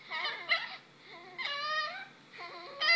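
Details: A male pet lorikeet indoors gives wailing, baby-like cries in three bursts, rising and falling, with a muffled indoor feel between them, imitating a crying baby.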